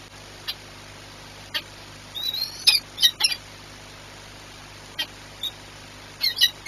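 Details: Peregrine falcon at Orlen Płock on 22 March 2021 at 14:39, giving scattered sharp, high squeaky notes, some briefly tonal, in short clusters spread over several seconds against a steady faint hum.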